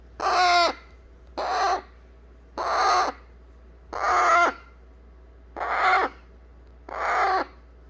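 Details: Baby eclectus parrot pleading to be held after being fed baby food; once cuddled it falls asleep in the arms. Six loud, grating squawks repeat evenly, about one every 1.3 seconds.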